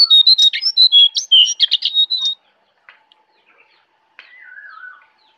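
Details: Jongkangan from the Kintamani forest in Bali gives a fast burst of bright whistled notes at varying pitch for about two seconds, then falls quiet. A fainter, lower, descending note follows near the end.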